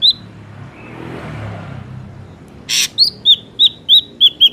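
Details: Wild ashy drongo recorded in nature for use as a lure: a lone whistle, then a soft rushing background, a harsh rasp, and a steady run of six clear, slightly downslurred whistled notes.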